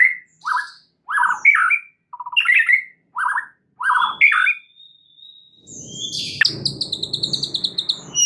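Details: Lure song of a white-rumped shama, played to make a shama sing its full repertoire: short varied whistled phrases with pauses, a thin sustained whistle, then a fast rattling trill over a low background rumble.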